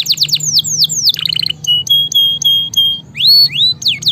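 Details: Lively canary singing, played to train and provoke silent canaries: quick falling notes, a short rattling trill, then a series of pure steady whistles, ending with rising and falling swoops.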